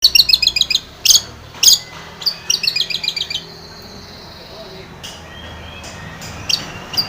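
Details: Long-tailed shrike song used as a lure to prompt a silent caged shrike to sing: a fast series of high chattering notes, then sharp harsh bursts and scattered calls over faint low hum.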